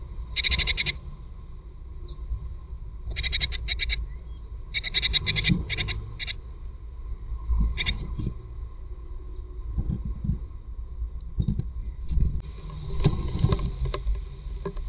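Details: Tits at their nest, giving short bursts of high chirping notes in clusters across the first eight seconds, with quieter scattered calls later, over a steady low rumble and a constant hum.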